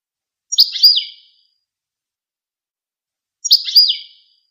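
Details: Goldfinch giving two short bursts of high, bright chirps, each a quick slurred twitter under a second long, spaced about three seconds apart; no other sounds.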